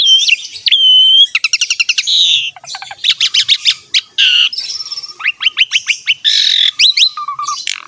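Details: Asian pied starling, gacor song used as masteran to lure other birds to sing: dense varied medley of whistles, rapid clicking trills, slurred rising notes and harsh buzzy bursts, continuous and loud.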